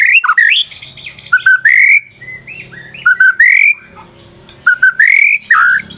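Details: White-rumped shama song used as a lure: short rich phrases of whistles and harsh notes, repeated about every two seconds with quiet gaps.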